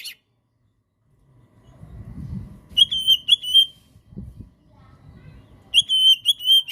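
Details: Kacer song for prompting a silent Oriental magpie-robin: after low background murmur, two bursts of high whistles, each a few level and rising notes in quick succession.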